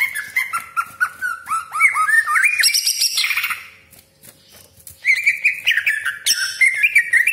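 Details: Caged greater green leafbird used to provoke rivals, pouring out a long rolling song of rapid slurred whistles and chattering phrases, a brief pause near the middle, then harsh scratchy bursts mixed with bright whistled notes.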